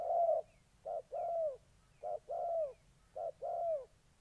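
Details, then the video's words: Spotted dove from Gia Lai, Vietnam, a molting decoy facing a combative wild rival in August 2020: deep coos in short-long pairs, the long note slightly falling at its end, repeated steadily. "Cu gáy"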